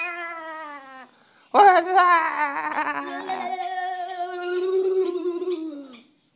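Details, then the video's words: A male cockatoo, prompted by his owner, mimics speech: a short falling tone, a pause, then a harsh, loud, long, wavering, falling "wazzup" lasting several seconds, with music and laughter around it; "pretty bird" is said afterwards. "Cockatoo doing wazzupp"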